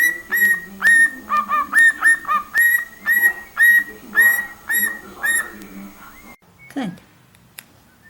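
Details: Cockatiel singing: a run of clear whistled notes, each rising then held, about two per second in a steady rhythm for six seconds, followed by a short swooping sound and near silence.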